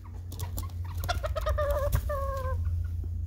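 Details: Serama chickens, miniature chickens, in the early morning: a run of short clucks speeding up, then drawn-out tonal squawks with clear harmonics, over a steady low hum.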